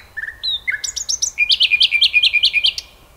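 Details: Common nightingale song: a few rising whistled notes, then fast high chips, then a long run of about ten repeated sharp notes delivered evenly before stopping abruptly.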